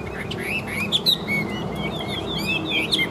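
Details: Caged Chinese hwamei, a fighting bird described as 85% tamed, spreading its tail and flicking its wings: a short run of clear whistled notes, rising and falling slides between mid and high pitch, with a low background hum.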